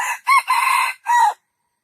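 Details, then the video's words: Junglefowl giving a full crow of four harsh syllables: a brief first note, a short arched note, a long sustained rasping note and a final falling note, all over about one and a third seconds, with a quiet background. "jungle fowl best crowing"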